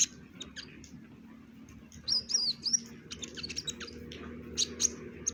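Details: Kolibri ninja (purple-throated sunbird) with brown breast, giving varied song: a cluster of high wavering chirps midway, then scattered sharp ticks and squeaks, over a faint steady low hum.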